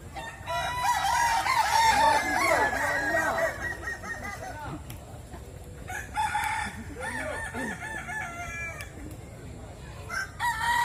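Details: Kukuak Balenggek roosters crowing against each other at a contest in West Sumatra, a dense burst of layered wavering crows followed by shorter repeated phrases, with crowd noise throughout.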